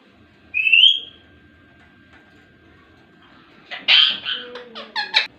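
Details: Pet ringneck parrot indoors: a short rising whistle, then a pause and a burst of harsh, speech-like syllables and chatter near the end.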